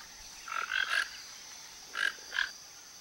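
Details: A flock of toco toucans (Ramphastos toco) foraging for fruit around a backyard in Brazil give harsh, croaking grunts: a quick run of three, then two more a second later, over a steady high insect hum.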